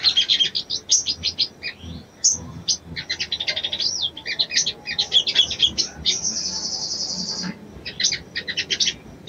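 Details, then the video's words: Female Brown-throated Sunbird (sogon) calling to a male to arouse him: a dense run of high, sharp chirps and quick rattling trills, with a long buzzy sustained trill near the middle and short broken bursts throughout, over faint background hiss. "SOGON BETINA MEMANGGIL JANTAN‼️SANGAT AMPUH MERANGSANG BIRAHI SOGON JANTAN"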